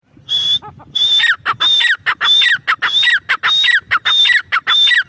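A grey francolin calls loudly and repeatedly, each phrase a high shrill whistle dropping into a sharp note, about one and a half phrases per second.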